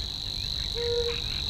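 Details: Savi's warbler singing from a young willow in the Crna Mlaka fishpond wetland reserve, Croatia: a steady, high, frog-like or insect-like reeling trill without a break, with a brief low whistled note partway through.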